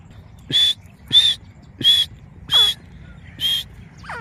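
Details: Grey francolin from Layyah, Punjab, Pakistan, giving five loud harsh grating notes about two-thirds of a second apart, each a short buzzy burst, followed by a fainter descending squeaky note at the end.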